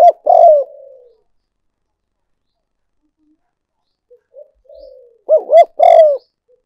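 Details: Spotted dove decoy cooing: a loud falling coo, a long pause, soft notes, then a full phrase of two short hooting coos and a longer downward-sliding coo.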